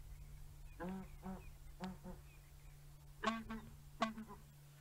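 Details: Recorded call of the southern ground hornbill played from a phone at sunset at Djuma Game Reserve, 13 July 2017: deep, hollow, booming hoots in short paired groups over a steady low hum.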